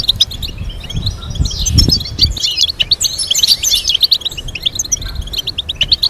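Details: High, fast goldfinch twitters and chattering trills run on steadily, with some low thumps in the background.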